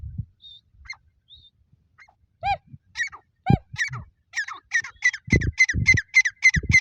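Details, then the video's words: Partridge (teetar) calling: sparse high notes and a few hooked, stacked calls build into a fast, steady run of sharp, bright chirps about three per second, mixed with low thumping knocks. "Teetar awaz|teetar voice|Teetar sounds"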